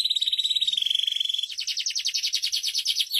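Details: Canary tutor song for training other canaries: a dense fast trill held level for about a second and a half, then slower distinct pulsed notes repeated roughly ten times per second.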